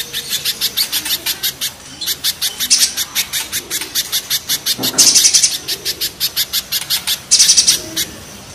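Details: Spiderhunters, locally called pijantung gunung and pijantung pisang, face off: a fast, harsh chattering run of high, rasping notes, about four a second, broken by short pauses and a few louder bursts.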